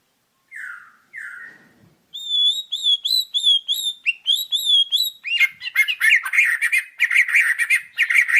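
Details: White-rumped shama (murai batu) singing a varied song: two slurred, falling whistles, then a run of clear, ringing notes repeated rapidly, then a dense burst of harsh, buzzy, rapidly repeated phrases.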